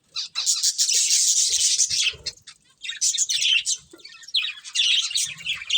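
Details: Breeding pair of budgerigars chirping: dense, scratchy, high-pitched warbling chatter that runs almost continuously, with brief pauses near two and four seconds, plus faint low rustling.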